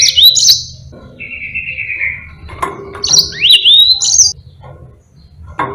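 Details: Long, lively song of a Yellow-fronted canary used to tutor other songbirds: high whistled slurs and upward sweeps broken by a flat buzzy trill, with a faint low hum behind.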